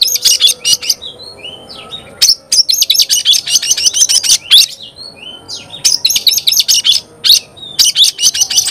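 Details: Oriental magpie-robin in lively, chattering song meant to get other magpie-robins fired up: dense bursts of high, scratchy notes mixed with clear rising and falling whistles, in quick runs broken by short pauses.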